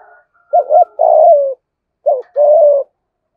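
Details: Spotted dove used as a lure bird, in the 'thổ' voice style with thúc, gù and gáy calls. Two phrases about two seconds apart, each a brief double note followed by a long, buzzy, falling coo, in a quiet setting.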